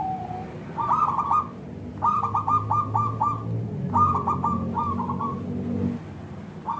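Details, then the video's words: Local zebra dove lure song for getting other zebra doves to reply: a soft opening note followed by repeated phrases of four to six quick, rolling coos, with a steady low background hum. "Perkutut Lokal Gacor SUARA Kristal TEBAL Jitu AHLINYA UNTUK pancingan perkutut NYAUT"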